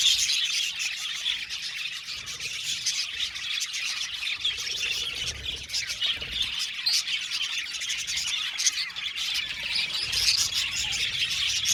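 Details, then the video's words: Australian budgerigars in an aviary colony, singing and chirping together: a dense, continuous wall of high, scratchy chatter and twittering from many birds, with no pauses across the stretch. "Budgies singing and chirping sound"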